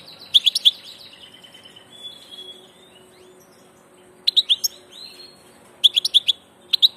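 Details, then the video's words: European goldfinch on passage, with crisp bursts of bright chirps at the start and in the second half, separated by a softer drawn-out twittering passage. "Jilguero del paso"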